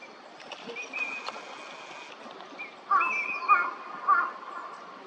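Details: Eurasian teal wintering at Junsai-ike green space, Chiba, Japan, February: after a faint steady tone and quiet background, a burst of three or four clear whistled notes, some with a higher overtone, in quick succession.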